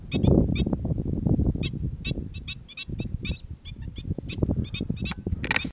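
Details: Black-winged stilt calling on Boa Vista, Cape Verde, in February 2020: sharp, yapping kek notes in quick irregular bursts, about fifteen in six seconds, over heavy rumbling wind.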